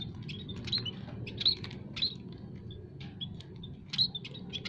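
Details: Lure chirping from munias kept in an aviary, scaly-breasted and Javan among them: scattered sharp high tweets with a few louder whistled notes, over a low background hum.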